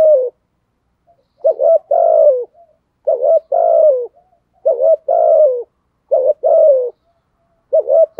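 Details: Repeated driving coos of a spotted dove, thổ voice style: five phrases of a doubled quick note followed by a drawn, slightly falling hoot, about one phrase every 1.3 seconds.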